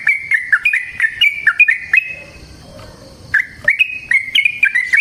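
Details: Long, vigorous yellow-vented bulbul song used as a lure for training other birds: chattering, bubbling whistled notes in a fast run, a brief lull, then the lively phrases resume.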